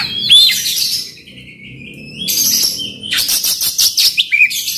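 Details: Oriental magpie-robin singing coarse mimicked phrases as a lure for a silent magpie-robin: a high whistle, a long thin descending high note, then a fast scratchy stuttering burst of repeated notes.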